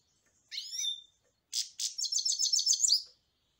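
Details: European goldfinch giving a drawn nasal wheezy phrase, followed by two harsh rasps and a rapid run of high twittering notes about four per second.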